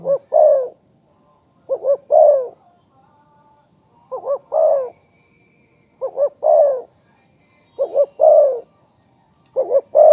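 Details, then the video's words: Spotted dove repeating its coo phrase about every two seconds. Each phrase is a fast looped double note leading into a louder, buzzy, falling coo, six phrases in all, with little else heard. "นกเขาใญ่ ,เจ้าพายุเสียงทอง,เรียกหมานๆ100%"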